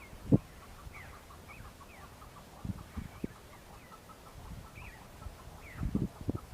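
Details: Wild male chukar partridges on Bamo mountain in Kurdistan, singing and fighting in breeding season while displaying to females. A steady run of short, repeated chuck notes, with scattered rising, slurred calls over it and low thumps of handling.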